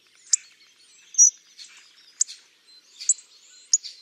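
Hawfinch giving sharp, high, explosive ticking calls, four spaced irregularly over four seconds, with a thin drawn-out whistle and faint softer chirps between.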